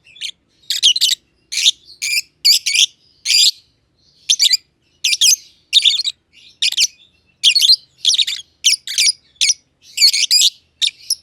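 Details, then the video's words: Two lovebirds, a green personata and a green pied personata, kept together in an aviary, chirping: harsh, buzzy high chirps in quick bursts of two to four, separated by brief pauses, with no other sounds. "Lovebird Chirping Sounds - Green Personata & Green Pied Personata"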